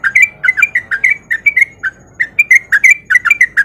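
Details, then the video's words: Lure song of a male sooty-headed bulbul in breeding mood, calling a female; clear whistled notes rising and falling, delivered in quick bursts with a short pause midway. "Pancingan Trucuk Gacor Biar Trucuk yang Malas Bunyi jadi Ikutan Bunyi"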